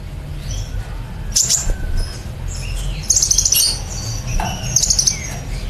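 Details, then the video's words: Van Hasselt's sunbird, a kept songbird, singing a long 'nembak cililin' style song used as training material for other birds: sharp high chirps and fast buzzy trills in short bursts, with a low rumbling background. "Koibri Ninja Gacor Nembak Cililin Durasi Panjang"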